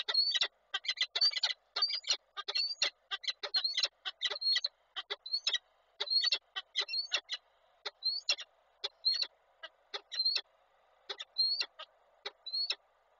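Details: Male and female falcons meet at their nest in Koszalin, 23 July 2023: a long series of harsh notes, each with a short upslurred squeal, in irregular bursts roughly every half second.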